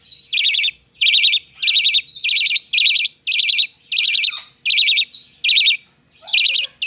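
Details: Young hand-tame budgerigar producing a steady run of about ten grating, buzzy calls, each a short burst, with brief pauses between them and a faint soft note near the end; recorded 12 November 2020.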